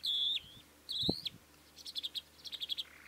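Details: Calandra lark song: two sustained buzzy whistled notes, then a quick run of short chirping notes, with a brief low thump in the middle.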